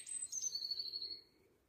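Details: Juvenile Eurasian blue tit uttering very high, thin calls: short sharp notes sliding into a sustained, slightly trilled high whistle lasting about a second, in a quiet outdoor setting.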